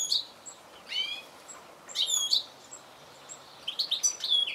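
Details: Goldfinch call notes: short, high, tinkling chirps in irregular groups, some with stacked ringing tones, separated by quiet gaps of about a second.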